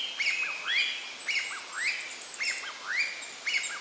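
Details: Juvenile varied tit photographed with a compact camera: a chattering series of short notes, each a sharp rising-then-falling upslurred chirp near the middle of the range with high thin overtones, repeated roughly twice a second without pause.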